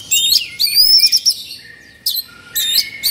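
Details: Agitated Oriental magpie-robin, known locally as kacer, singing in the excited 'kongslet' style with beak open and tail spread; bright, high whistled notes and slurred phrases in short bursts, separated by brief pauses.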